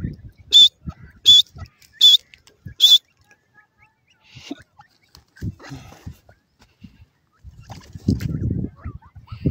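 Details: Grey francolin (gora teetar) giving four loud, shrill, harsh calls in quick succession, about one every 0.75 seconds, over the first three seconds, followed by quieter scattered thumps, rustling and low handling noises.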